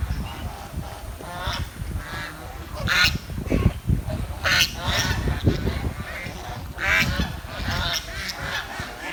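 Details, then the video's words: Village swan giving chirping calls: bursts of harsh, nasal notes in small clusters separated by pauses, with a constant low rumble and occasional knocks underneath. "The Chirping Sound of The Village Swan"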